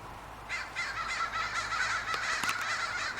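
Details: Crows calling at a big walnut tree in Portland on a spring evening: a dense, overlapping stream of rough caws from more than one bird, with a few sharp clicks mixed in.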